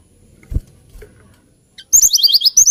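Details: After a quiet start with faint low knocks, a hill blue flycatcher bursts into a fast series of high, thin slurred whistles.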